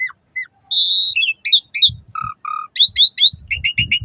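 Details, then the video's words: Asian pied starling singing, used to prompt caged birds into song in the morning and evening: a varied mix of whistled slurs, short buzzy notes, harsh broadband bursts and quick repeated chirps in rapid series. "Suara Kicau Jalak Suren Terapi Pancingan Burung Jalak Saat Pagi Maupun Sore Agar Cepat Gacor Isian"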